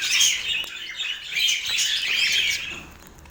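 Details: Pet parakeets at breakfast on an autumn morning: quick bright chirps and twittering squawks tumble together, easing off and quieting in the final second.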